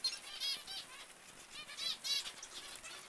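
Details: Zebra finch calls, loud nasal trumpet-like beeps with a rich harmonic ring, several in quick succession and sharpest near the middle and end, over a softer background of other finches.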